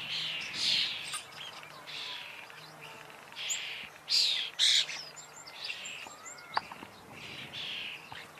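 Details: Common starling (Sturnus vulgaris) in varied song: scratchy, buzzy phrases mixed with thin squeaky whistles and a sharp click, irregular and rambling over several seconds, steady low hum behind.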